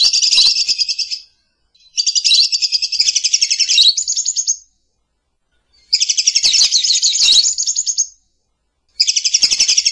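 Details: Lovebird giving long bouts of quick, piercing chattering in four runs, each lasting one to three seconds and separated by brief silences, with light clicking sounds.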